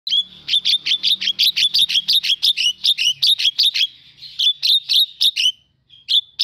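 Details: Javan myna in full, nonstop song, played as a lure to stir lazy mynas into singing: a rapid run of sharp, clipped high notes, about three a second, then a short pause and a few final notes.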